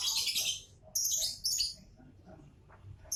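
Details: A lovebird's loud rasping shrieks come in three close bursts in the first two seconds, each shrill and broad. A quiet stretch follows, with faint soft notes and a brief sharp note at the very end.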